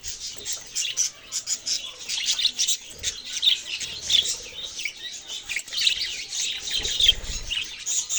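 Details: Budgerigar flock chatter made of bright chirps and buzzy warbling notes, rising and falling in loudness in uneven bursts.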